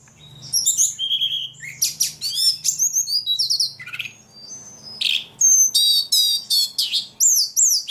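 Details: Very vocal ledekan bird singing a varied, fast jumble of high chirps, trills and buzzy sweeps, broken by short pauses, with bright repeated notes toward the end. A low background hum is present.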